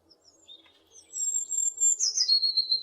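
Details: A tit recorded in west Poland gives thin, very high drawn-out whistles, with a brief buzzy flourish before a final steady high note. No other sounds stand out.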